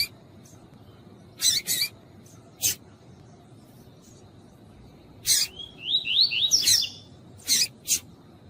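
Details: Female Double-collared seedeater calling to warm up a male: scattered harsh, buzzy chips, sometimes paired, with a brief run of high whistled notes that step upward partway through, over a quiet background.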